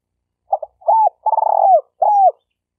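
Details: Stuttering spotted dove lure call, used to train newly caught birds and to attract doves when hunting: a short doubled note, then a series of coos, one broken into a rapid pulsed stutter, ending with a falling coo.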